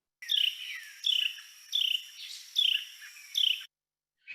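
A Carolina Wren gives five harsh, descending trilled notes, each under a second long and spaced about every three-quarters of a second.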